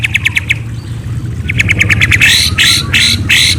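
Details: At night, a white-rumped shama gives quick runs of high chirps, pauses, then speeds into louder, harsher buzzy notes near the end, over a steady low hum.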